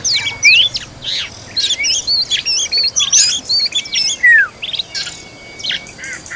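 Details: Oriental magpie-robin tending its young, with clipped high chirps in quick series, a few long slurred whistles, and a thin sustained tone in the background.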